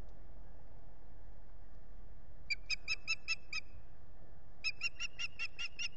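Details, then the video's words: Wild osprey at a nest in the Finger Lakes, United States, begging for food on 8 April 2022: two bursts of about six rapid, evenly spaced whistled piping notes, over a steady low rumble. "begs for food"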